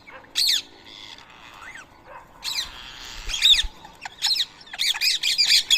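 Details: Wild rose-ringed parakeets feeding on soaked boiled rice in Coimbatore, India, on a Sunday morning at 7 AM, 31 March 2024. Harsh, shrill screeching squawks come in short bursts, grouping more densely toward the end, with brief pauses between them.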